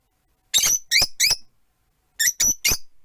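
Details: Rosy-faced lovebirds, four kept in a cage near a window, give two sets of three piercing, high chirps, each note short and slightly downslurred, with a pause between the sets.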